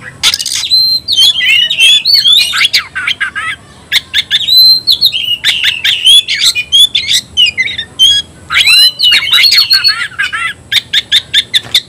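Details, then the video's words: Oriental magpie-robin (kacer) screaming to call an opponent to fight: loud, varied whistled phrases and harsh chattering notes around mid-high pitch in rapid bursts, with short pauses between phrases. "Teriakan KACER panggil lawan tarung"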